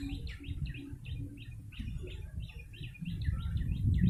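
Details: Yellow-bellied prinia calls used to lure birds: quick, chirpy notes dipping between high and mid pitch, repeated about three times a second, over a steady low rumble and hum.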